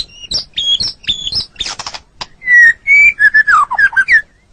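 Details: White-rumped shama song on a training recording for caged birds: a few paired high chirps, a brief harsh burst, then clear drawn-out whistles and a quick cascade of slurred, falling notes.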